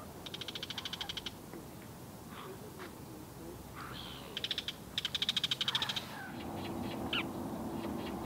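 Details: Bull-headed shrike from a probable mated pair in South Korea, the male trailing the female, delivering repeated harsh rapid rattles in bursts of about ten notes, separated by short chirps, with a low steady hum in the background.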